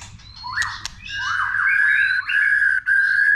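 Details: White-rumped shama in multi-voiced song, delivering long sustained whistled notes held at a steady pitch, broken by short gaps, after a brief rising opening phrase; played to stimulate shamas to sing.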